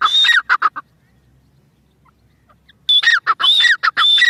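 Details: Grey francolin giving a burst of harsh repeated whistled and squeaky notes, then falling silent for about two seconds before the rhythmic series resumes.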